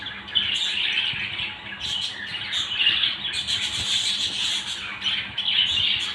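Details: Pet budgerigar family in lively nonstop chatter: scratchy warbles, sharp high chirps and squeaks overlapping continuously from several birds.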